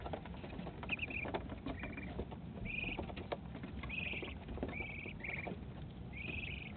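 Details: A five-week-old duckling, recorded on April 13, 2018, gives short, high, slightly rising peeps, about one every second, over a steady low rumble and soft patter.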